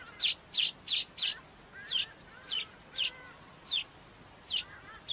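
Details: Cape weaver giving sharp, high chip notes, first in a quick group of four, then singly at uneven intervals of roughly half a second to a second, against a quiet background.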